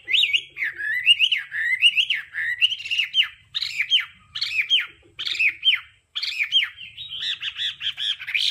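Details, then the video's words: Training recording of Hwamei 'đảo âm' song: loud looping phrases that swoop up and down, repeated roughly every half second, mixing rich whistles with harsher, rasping edges. "Âm thanh luyện giọng họa mi hót đảo âm hay nhất"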